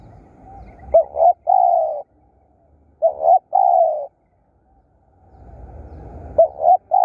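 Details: Spotted dove used as a decoy bird to lure wild doves, cooing in loud, low, hollow phrases: a short double note followed by a long drawn coo, repeated twice with pauses and faint rural background rumble.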